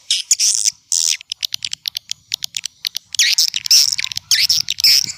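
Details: Old-style swiftlet lure call meant to draw swiftlets in: buzzy high chirps open the recording, followed by a run of rapid clicking ticks, then four loud, harsh twittering bursts near the end.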